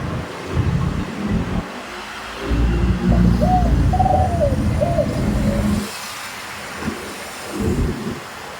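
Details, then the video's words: Medium-voiced spotted dove giving one sweet 'khan yon' coo phrase with a single 'kuk' note: a short run of soft, mellow hoots, partly covered by heavy low rumbling that fades away afterward. "นกเขาใหญ่ เสียงกลาง ขันโยน ช่องไฟสวยๆ"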